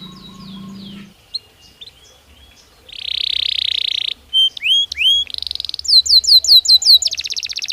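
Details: Belgian canary singing naturally: soft scattered notes and a low hum at first, then a loud buzzy trill, upward-sweeping whistles, a brief trill, clear down-slurred notes, and a final rapid trill.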